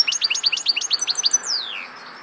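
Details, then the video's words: Goldfinch song made of about ten quick, evenly spaced, liquid chirps in a bouncing series, closed by a long, thin, descending whistle that fades out. "Vukadinov pjev 1, grdelin, chardonneret,goldfinches,el jilguero"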